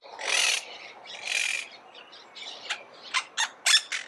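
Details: Monk parakeet giving two drawn-out hoarse screeches, followed by a series of short sharp squeaky notes at a faster pace.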